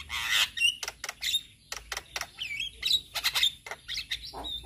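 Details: Song of a male Javan myna, played so other mynas learn its sounds: sharp clicking bursts separated by brief gaps, interspersed with thin rising whistles and a harsh rasp at the start.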